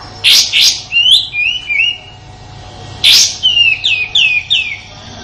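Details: Rough 'tembakan kasar' song of an Indonesian sooty-headed bulbul used to master shamas and contest birds: two harsh bursts followed by falling whistled notes, the phrase repeated after a short pause.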